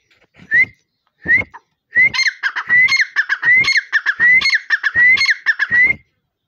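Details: Partridge calling loudly: a run of clear, rising whistled notes repeated in a steady rhythm, each phrase accompanied by sharp clicking sounds, after two isolated opening whistles.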